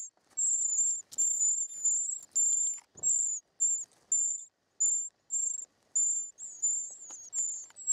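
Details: Young short-toed treecreepers begging while being fed in their nest, giving shrill, very high buzzy trills in short bursts, roughly ten bursts separated by brief pauses, with faint rustles and clicks below.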